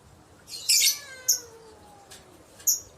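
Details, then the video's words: Lovebird lure call to prompt replies from others: a loud, grating screech, a thin falling whistle trailing beneath it, then two short high chirps spaced apart. "Pancingan love bird dijamin tokcer pasti nyaut"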